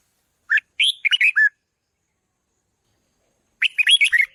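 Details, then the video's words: Red-whiskered bulbul song for stirring up decoy birds: two bright phrases of clipped, rising and falling warbles, a two-second pause between them, with no background noise. "นกปรอดหัวโขนร้องเพราะที่สุด | ฝึกเสียงให้ร้องดัง | กระตุ้นนกต่อให้ฮึกเหิม"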